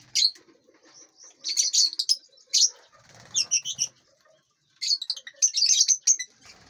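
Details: Colorful lovebirds in a large aviary, eating and flying around. They give lively bursts of sharp, high chirping from many birds, broken by one brief lull.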